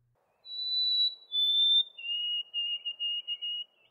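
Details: White-throated sparrow song of the new two-syllable version, played back: a long pure whistle, a slightly lower second whistle, then a series of repeated lower whistled doublets, clean and clear.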